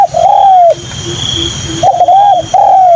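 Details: A captive spotted dove (Spilopelia chinensis), a decoy bird still in training, gives soft, hollow coos in short bursts, each swelling then fading, over a faint hum and low rumble, after rain with the sun coming out.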